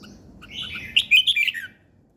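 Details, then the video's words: A single brief morning bird phrase: a soft warble builds into a rapid run of high, tumbling chirps that fades after about a second, over a faint low background murmur. "Buổi sáng nghe chim hót chơi"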